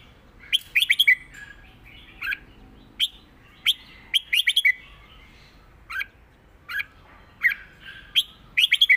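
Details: Red-whiskered bulbul giving a clear southern Thai song pattern for teaching birds: tight bursts of rapid chirps alternating with lone bright notes, repeated throughout.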